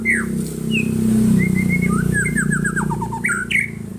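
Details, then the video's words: White-rumped shama answering a lure recording with whistled slurs and a rapid descending series of chattering notes, over a strong low droning hum. "Kicauannya gak ada remnya !!! Tonton sampai akhir video Murai Batu Gacor ini"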